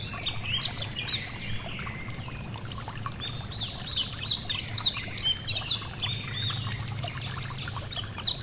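Yellow-throated Bunting song: quick, high, thin chirps and twittered notes, about two per second, over the steady rush of a stream.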